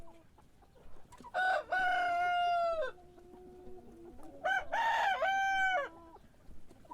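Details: Morning cock crow repeated twice: each starts with a short stuttered note, then a long steady harmonic cry ending in a downward slide, with quiet low background hum between.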